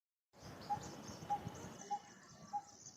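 A coppersmith barbet gives short, hollow tonk notes at an even pace, about one every 0.6 seconds, over steady rustling background noise and a faint high hiss.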